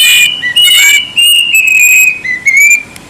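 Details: Plaintive cuckoo giving loud, shrill whistled notes, drawn out and slightly slurred, with a short gap between phrases. Some harsh, rough bursts overlap the first second.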